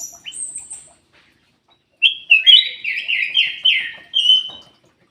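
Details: Kutilang emas bulbul singing to lure quiet caged songbirds into song. A thin, high whistle opens, followed after silence by a loud, rhythmic series of slurred, bubbling whistled phrases.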